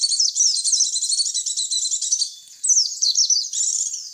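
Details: White-eye lure call to attract white-eyes: busy high twitter of fast swooping chirps, a short quiet gap, then more rapid chattering; no background sounds.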